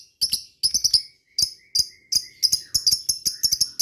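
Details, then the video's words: Lovebird in the 'ngetik' style, played as a lure calling to rival birds: short bright ticking chirps in small clusters, separated by brief silences, rising to a quicker sequence of sharp clicks toward the end. "suara burung lovebird ngetik ngekek"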